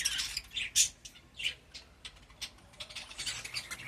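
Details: Pet budgerigar giving scattered raspy squawks and squeaky chirps, spaced irregularly with brief quiet gaps between them.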